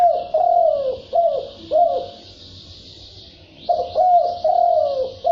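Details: Red collared dove (cu gáy đồng thúc bổi) cooing in gáy gù style: loud, short descending coo notes repeated rapidly, with a steady high hiss or insect-like buzz running beneath.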